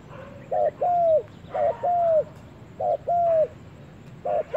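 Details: Spotted dove in the forest for the first time, giving soft mellow coos in pairs, a quick rough note followed by a drawn-out curved coo, three full pairs and a clipped fourth, faint hiss behind.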